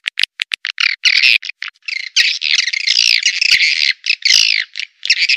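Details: Swiftlet lure call played to attract swiftlets, a recording known as SP Puber ke-2 shared for swiftlet farmers in Indonesia; dense, continuous buzzy chattering and rapid twittering clicks with short gaps, no other sounds.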